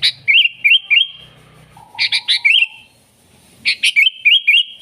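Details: Sooty-headed bulbul song used to lure wild bulbuls: quick repeated looping whistles and sharp chips in three lively bursts, with a faint low hum between phrases.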